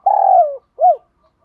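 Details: Spotted dove in 'thúc đấu' fight-provoking cooing, used to prompt other doves to coo: one long, mellow coo that sags down in pitch, followed by a single short, arched hoot. Otherwise silent.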